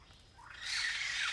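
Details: In semi-evergreen forest near Kulen National Park, Cambodia, a migrant Blyth's paradise flycatcher gives one sudden, rising, harsh buzzy rasp that swells loud and holds to the end.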